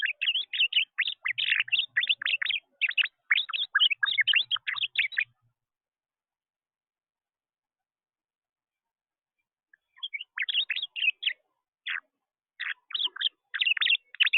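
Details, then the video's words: A blue finch at a feeder, ignoring the seeds, gives rapid, high, twittering chirps in dense bursts for about five seconds, falls silent, then resumes in shorter, scattered chirps. "Blue Finch declines my seeds and instead makes funny noises at feeder"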